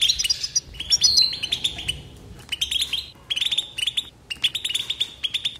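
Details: Nonstop twittering from a European goldfinch: quick high chirps and liquid tinkling notes run together in bursts separated by short gaps, ending in rapid, repeated bright phrases.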